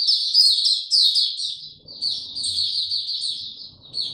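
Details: Captive white-eye, given no health supplements, in sustained song on 29 April 2022: rapid high chattering notes, some descending slurs, running without break through the whole stretch, with a soft low rumble beneath.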